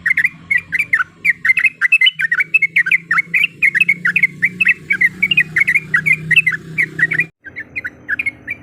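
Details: Yellow-vented bulbul female calling to a male, meant to stir a rival: fast run of bubbling, chattering notes repeated without pause, over a steady low background hum, cut briefly near the end.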